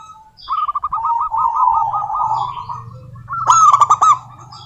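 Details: Female local zebra dove calling to a rival, giving a long string of quick, beaded, trilling coos that waver slightly in pitch, then a loud clattering burst of sharp notes near the end, over a low steady hum.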